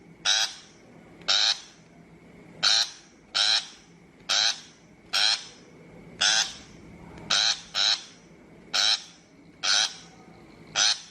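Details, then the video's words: Shrike calling, a recording meant for trap-lure playback: a series of grating, broadband chattering bursts, each short and even in loudness, spaced about one second apart with occasional doubled notes, low background hum throughout. "Tiếng chim bách thanh chuẩn mp3 cho loa bẫy"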